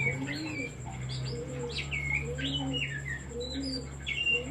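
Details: Oriental magpie-robin singing as a lure to excite other songbirds: varied sharp whistled phrases and chirps, while soft low cooing notes sound repeatedly in the background.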